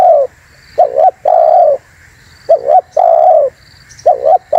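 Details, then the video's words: Spotted dove calling to lure wild doves: mellow low coos, each phrase a brief two-part note followed by a longer level coo, repeated about every 1.5 seconds. "SUARA BURUNG TEKUKUR UNTUK PIKAT DAN PANCINGAN"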